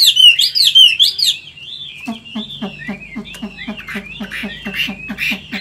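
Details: Caged Vietnamese Chinese hwamei, an old wild-caught bird with a 'forest voice' song, opens with rich looping whistles, then shifts to a fast series of short, sharp notes, about two per second, over faint background clicks.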